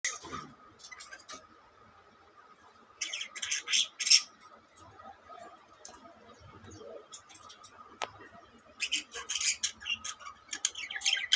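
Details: Pet budgerigars (Melopsittacus undulatus) at play chatter in bursts of scratchy, high-pitched squawks and chirps, with a steady hum behind them.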